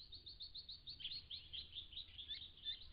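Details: A big flock of white-browed woodswallows at a pond, December 2016, keeps up a continuous high twittering chatter of quick, overlapping chirps with no pauses, many birds calling at once.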